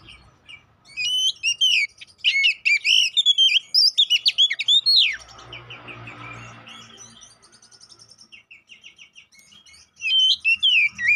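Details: Oriental magpie-robin song used as a provoking lure for fighting: rich, fast, varied whistles and sweeping trills in loud bursts, a softer rapid chattering passage, then loud phrases return.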